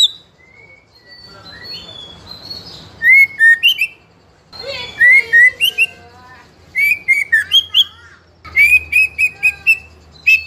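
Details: White-rumped shama, a young spotted bird of the fighter type, in continuous ngeplong song meant to goad other young birds into singing: long rising whistles give way to bursts of rapid clear notes and high chips, with a faint low hum.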